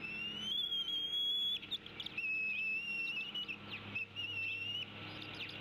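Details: High wavering whistles from a female bald eagle tea kettling at her mate as he arrives at the Decorah nest during chick feeding, the notes drawn out and slightly warbling over a constant hum.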